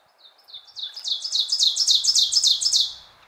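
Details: A male Ovenbird in spring sings a loud, ringing song that builds in volume: rapid, repeated two-note phrases, about three and a half per second, high-pitched and emphatic.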